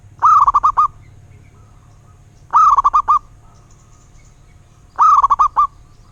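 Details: Zebra dove of local wild stock repeating its staccato cooing phrase three times, about every two and a half seconds, each a quick run of short rolling coo notes, faint background hiss.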